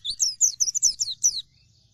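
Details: Pleci dakun, an Oriental white-eye, in energetic gacor song: a quick burst of roughly eight sharp, high chirps with downward slurs, lasting about 1.4 seconds before silence.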